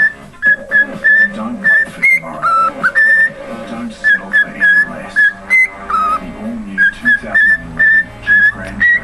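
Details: Pet cockatiel whistling Jingle Bells: clear, pure whistled notes in short, evenly spaced bursts, the melody rising and dipping between phrases, over a faint low background hum.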